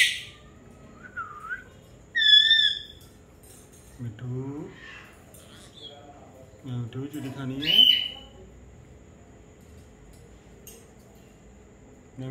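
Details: A pet Indian ringneck parakeet on a rainy day says a few short, speech-like words between sharp, high whistled notes, with a soft steady background hiss.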